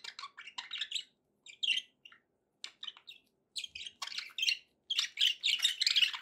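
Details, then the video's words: Pet budgies making happy sounds: short clicking chirps and squeaky notes in loose clusters, building into denser, louder warbling toward the end. "happy budgie sounds"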